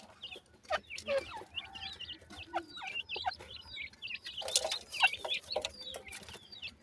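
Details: Feeding, playful black francolin chicks, dakhni and sindhi teetar, give a steady stream of short high peeps and hooked chirps; a few lower squeaks and frequent clicking taps are also heard.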